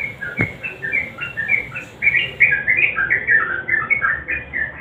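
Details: Nguklik-style song of a sooty-headed bulbul, played as a lure to prompt quiet birds to sing: rapid chains of liquid, warbling notes rising and falling, with one sharp click near the start.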